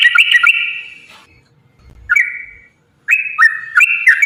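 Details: Sooty-headed bulbul song, used as a lure to set other bulbuls singing: bright, bubbly whistled phrases with quick up-and-down slurs in short bursts, split by a silent pause of about a second and a half, then a longer warbling run.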